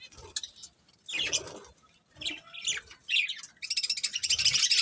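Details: Budgie breeding pair trading short chirpy bursts that build into a steady rapid warble at the end.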